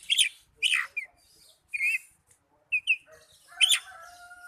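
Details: Kept Oriental magpie-robin song for coaxing young or silent birds to sing: loud, sharp chirps and slurred whistles spaced apart, with a faint steady tone late on.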